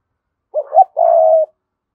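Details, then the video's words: Spotted dove of the Cườm Sa type cooing to lure wild doves. One phrase is heard: a short two-part hoot, then a longer, steady, mellow drawn-out coo. Silence surrounds it. "Chim cu gáy Cườm Sa thúc gù gáy gọi đủ bài. chim cu gáy kích bổi nhanh nổi"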